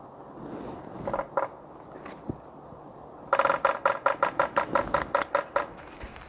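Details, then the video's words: Red-naped Sapsucker tapping on a tree in Cascade Canyon above Jenny Lake, Grand Teton National Park: a few scattered knocks, then a quick run of about a dozen hollow taps over two seconds, quiet background. "So, just got that red-naped sapsucker tapping on that tree."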